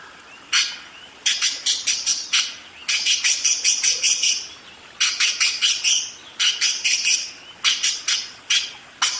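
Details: Budgerigar in a long busy song roll: several bursts of rapid, crisp chirps, each a quick rattling series, separated by short pauses.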